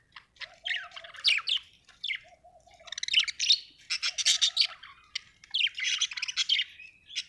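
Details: Happy budgerigar chirping almost continuously: bright, twittering warbles mixed with scratchy notes, over soft repeated lower trills in the background.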